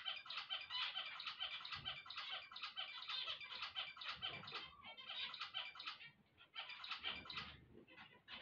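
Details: Several zebra finches singing on waking, a continuous busy chatter of buzzy, nasal notes and quick trumpet-like beeps that overlap almost without pause.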